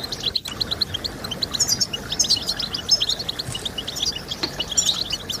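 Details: European goldfinch singing, meant to encourage singing in kept birds: quick, liquid chirps and tinkling twitters in irregular bursts, some notes slurred upward, over a soft background hiss.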